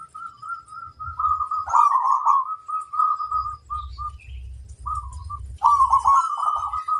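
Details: Wild flirtatious female zebra dove delivers a continuous string of soft trilled coos, broken into short beaded pieces, with a louder rolling burst near the end and a low rumble underneath.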